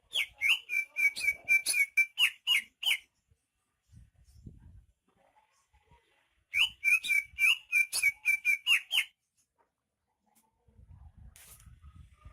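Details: Native Banyuwangi greater green leafbird in full, lively song; long runs of rapid, sweet whistled notes at about four per second, two phrases separated by a quiet pause with faint low rustling.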